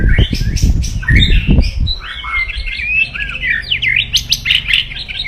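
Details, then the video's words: White-rumped shama crackling song to provoke rivals: jumbled whistles, rapid looping notes and sharp clicks, with loud low thumps in the first two seconds. "KRETEKAN SUPER DASYAT,, SUARA KERAS,, CARA CEPAT MENDONGKRAK EMOSI LAWAN"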